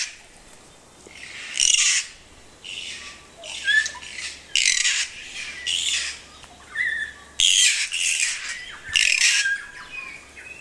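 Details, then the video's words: New Zealand kaka, an endemic parrot, calling at Tawharanui Regional Park in Auckland: harsh, broadband grating squawks about half a second long, repeated at irregular intervals, with softer rising whistled notes between them. "Kaka カカの鳴き声"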